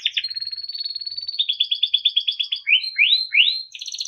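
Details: Timbrado canary singing for training: a thin held whistle over soft chatter, a run of evenly spaced rapid chirps, then several upward-swooping notes and a closing trill.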